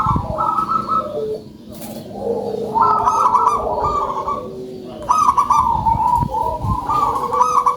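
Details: Strong-voiced local zebra dove in full song, delivering bursts of fast, rolling coo trills separated by quieter gaps, with faint background knocks.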